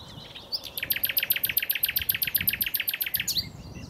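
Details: Common nightingale song, a fast rattling series of about twenty identical sharp notes delivered steadily at roughly four per second, opening and closing with brief rising flourishes.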